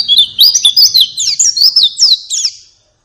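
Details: White-eye song played to get a kept bird singing: a loud, hurried chatter of high squeaky notes, about a dozen pulses in under three seconds, then a trailing fade.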